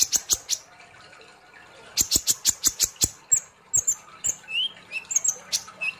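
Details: Sunbird, known locally as kolibri ninja or konin, in lively song: a fast, evenly spaced series of sharp, high ticking notes, then varied chirps and short upslurred whistles, with a near-silent gap early on.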